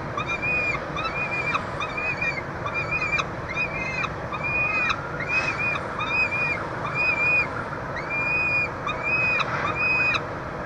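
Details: Peregrine falcon pair and young at a University of Montreal nestbox, Canada, 22 June 2023, at feeding time. Loud, clear, hoarse calls that arch up and down come in quick series, with a continuous background hum.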